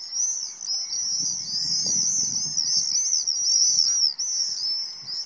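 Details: Common swifts (Apus apus) at spring dawn over the Tancat de Milia wetland, feeding on mosquitoes: shrill, buzzy, overlapping screams, an unbroken high chorus from several birds, over a faint low rumble.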